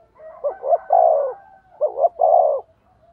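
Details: Decoy spotted dove cooing in a duel of voices to lure wild birds. Two low phrases of paired short notes and a long falling coo, over slight background murmur.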